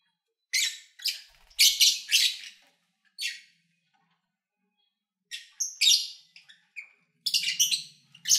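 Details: Captive lovebirds recorded in February 2019 while eating, singing and playing: bursts of harsh, high chirps and squawky notes in quick clusters, separated by short silences, with a faint low hum near the end.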